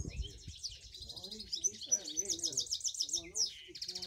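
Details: Three cock finch mules, caged birds, singing: bright high twittering and trilled phrases, fast chattering runs and sweet whistled notes, with a few sharp metallic pings. Lower rasping sounds underneath.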